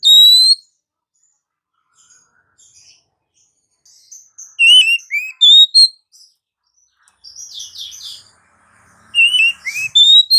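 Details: Oriental magpie-robin singing in the morning: loud, high whistled phrases of sliding and slurred notes in bursts, with quiet twittering between and a long pause midway.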